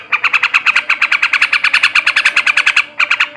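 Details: Male yellow-vented bulbul (trucukan) delivering ngebrem ngekek chatter: a very rapid, even string of harsh notes, roughly seven per second, with a brief break near the end before resuming.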